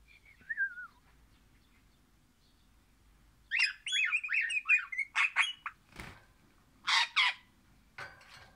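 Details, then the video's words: Crimson rosella (Pennant), orange colour form, singing happily: a clear descending whistle, a pause, then a burst of rapid warbled, twisting whistles mixed with harsh squawky notes, followed by a few short loud chattering bursts. "Pennant Orange happy singing Parrot"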